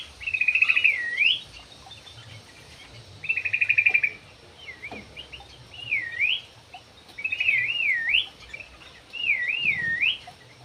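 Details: Javan pied starling song alternating rapid buzzy trills with loud looping whistles that dip and rise, repeated roughly every two seconds; a soft background hiss runs throughout.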